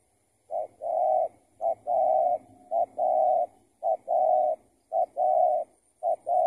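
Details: Spotted dove responding during decoy trapping, the bird an escaped tethered decoy; loud repeated phrases of a quick short coo and a sustained level coo, about one per second, with a faint low hum beneath.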